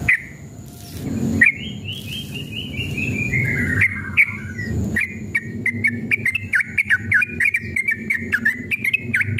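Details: Sooty-headed bulbul in agitated, fighting-mood long rapid song, used as a lure to make other bulbuls answer: after a noisy start, a falling chain of whistled notes, then quick repeated bright whistles with sharp clicks.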